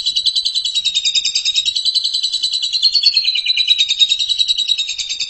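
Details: Asian pied starling (jalak suren) giving rapid 'ngeriwik' chatter as masteran: a continuous high buzzing trill of many fast repeated notes, rising and falling gently, with no pauses.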